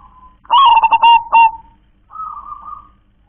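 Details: Local zebra dove sings in the kong klar-ke-tek-kong style: a burst of rapid, stuttering, throaty coos runs into a sustained low coo, then a softer, slightly higher drawn-out coo follows. Background is quiet.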